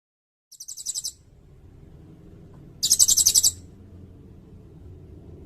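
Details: Sirindet song used as training material for songbirds and for luring: two bursts of very high, rapid buzzy trilled notes, the second louder and longer, over a faint low background hum.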